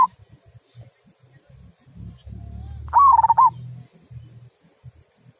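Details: A local perkutut, or zebra dove, gives one loud 'kung'-style phrase of quick, bubbling cooing notes, half a second long, after a cut-off note at the start and amid faint low-pitched noise.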